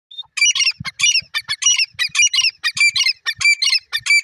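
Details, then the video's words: Male grey francolin calling: a rapid, continuous series of harsh, squawky notes with a ringing whistled edge, about eleven bursts in four seconds delivered almost back to back, and a few faint low thumps beneath. "jungli teetar ki awaz,desi male ki awaz,grey francolin seet pe"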